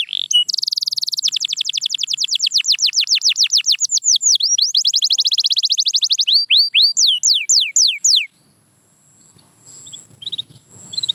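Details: Singing canary used as training sound: a rapid, even string of down-slurred whistled notes, about four per second, turning into looping sweeps and a few wider swoops, then ending abruptly into near silence with faint background noise.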